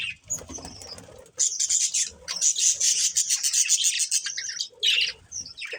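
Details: Breeding pair of budgerigars with fast scratchy chatter and buzzy warbling, rapid ticking pulses through the middle and a few sharp squawks near the end.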